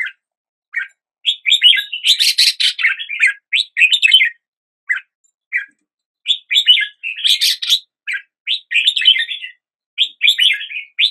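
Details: Red-whiskered bulbul song at daybreak, rich warbled phrases of quick chirped notes delivered in clusters with brief gaps, two denser buzzy bursts standing out, clean background.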